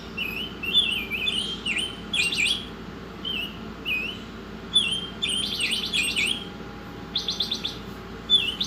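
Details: Masteran training song of an Oriental magpie-robin: short whistled notes with downward hooks, broken by bursts of fast buzzy rattles, then more whistles and a final sharp note, with constant background hum.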